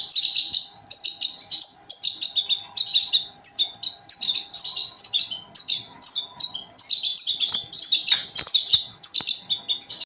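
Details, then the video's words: Young goldfinch and canary hybrid, a mule, singing as a tutor recording: bright twittering phrases of quick chirps and clear whistled notes, some trilled, broken by short pauses, with a faint steady hum underneath. "baby goldfinch x canary, mule for teaching"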